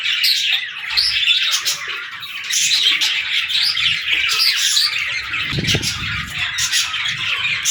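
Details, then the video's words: Playful baby budgies talking and singing, steady high scratchy chatter and chirps with a low bumping sound midway. "Baby Budgies Playing & Talking 🐣🎶 | Fun Chirping Sounds"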